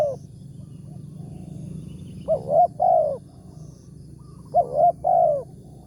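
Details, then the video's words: Big-voiced wild spotted dove, 'tarik akar' style, called in by a lure bird during a morning trapping outing: after a pause, two clear coo phrases, each a brief doubled note then a longer sliding-down coo, over faint low noise. "TEKUKUR SUARA BERSAR"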